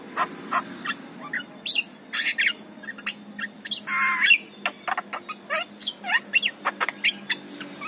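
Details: Javan myna morning song used to lure other mynas: harsh squawks, a brief noisy rasping burst, and varied whistled and clicking notes in uneven succession.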